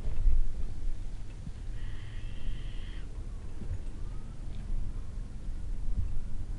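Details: Recently fledged Little owl chicks, two of them, fed at dusk in Kalmthout on 11 June 2022; a single hoarse, hissing screech of about one second stands out amid quiet rumbling background.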